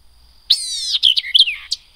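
White-eyed Vireo song: a harsh, nasal, mewing note followed by a quick jumble of sharp, slurred chips and whistles, all packed into about a second and a half.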